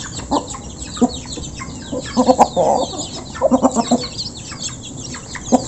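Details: Flock of local chickens clucking while being fed, taken up close: scattered short clucks, clustered runs of rapid clucks in the middle and later, one brief drawn-out note among them, with constant low hiss behind.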